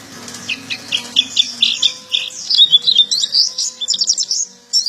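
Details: A local Oriental white-eye sings a fast, high twittering song with "isian" (filler phrases) and rolling trills: rapid chirps and warbled trills, continuous and varied, with a faint low hum beneath.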